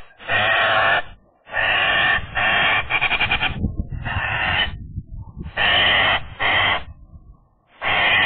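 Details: Eurasian magpie at a nest that other magpies are trying to claim. Loud, harsh, raspy bursts of half a second to a second follow one another with brief gaps, over a low rumbling background.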